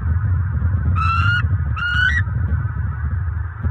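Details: Bald eagle pair at a Fort Myers, Florida nest at nightfall on October 29, 2022, mating early in the season: two drawn-out, harmonically rich squeals, each slightly rising, over a continuous low background drone.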